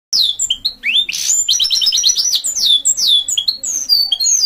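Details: Goldfinch mule singing a fast, varied twitter of high rising and falling whistled sweeps, with a quick run of repeated trilled notes in the middle.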